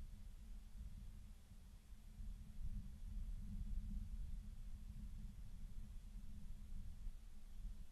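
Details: Quiet, steady low hum and faint hiss from a nest camera, with no animal sound.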